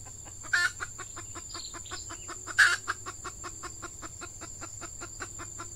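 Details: Red junglefowl calling during lure trapping with an F1 hen decoy in peat scrubland, in the season when wild birds respond to females: a steady series of short clucks about twice a second, with two loud harsh bursts and a constant high insect whine.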